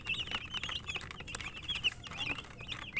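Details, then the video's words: Chicken chicks chirping while eating: a dense chorus of short, high peeps, many overlapping, with sharp clicks from pecking beneath them. "Murgi chicks Chirping sounds and eating"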